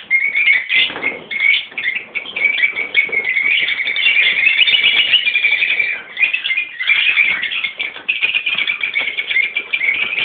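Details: A mixed colony of rosy-faced and Fischer's lovebirds, parents and young together, chatters without pause, with dense, shrill, high-pitched squeaks and chirps overlapping into a continuous din.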